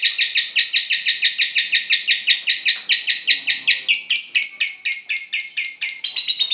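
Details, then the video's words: Cinderella lovebird in ngekek, a trigger recording for training others' song: steady rapid shrill chirps that grow slightly higher and more varied in the second half, with nonstop chatter throughout. "Pancingan ngekek lovebird cinderella cocok buat masteran"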